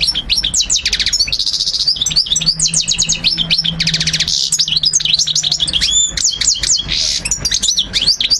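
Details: European goldfinch singing a tutoring song for memorisation: continuous bright twittering with repeated buzzy trills, rapid ticking runs and swooping whistled notes, sustained throughout with a faint low hum underneath.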